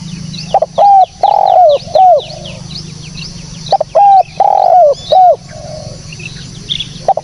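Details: Spotted dove, a clean recording meant to lure birds, gives two full cooing phrases about three seconds apart, each a short coo, a drawn-out throaty coo and a falling final note, with soft background chirping.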